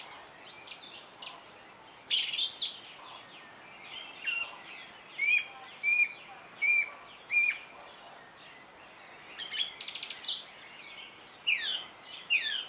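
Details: A song thrush singing outdoors: varied phrases of chips and whistles, including a bright whistled note repeated four times at steady intervals, then scratchier twittering figures, with soft ambient noise behind.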